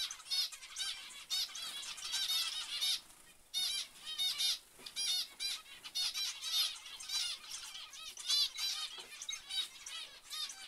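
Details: Bursts of loud nasal zebra finch calls, tightly packed with short pauses, with a clear dip in activity just before four seconds.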